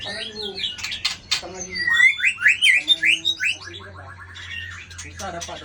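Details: White-rumped shama with a 24-feather tail, flicking its tail to intimidate a rival, sings a run of rich, looping whistled notes, while people talk nearby before and after.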